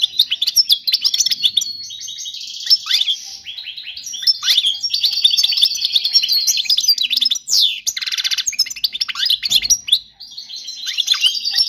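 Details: European goldfinch song, error-free, for teaching young birds: a long, fast, twittering run of high chirps, trills and buzzy slurred notes, nearly continuous, with short pauses and no other sounds.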